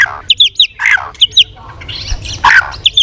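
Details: Competitive song of a tail-flicking White-rumped shama: harsh, rasping squawky notes alternating with short bright chirps, delivered in quick irregular bursts.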